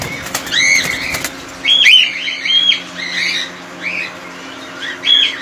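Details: Cockatiels kept together in a colony give short, harsh, upswept whistled calls in overlapping bursts from several birds, with a flurry of wing flaps and clattering knocks near the start.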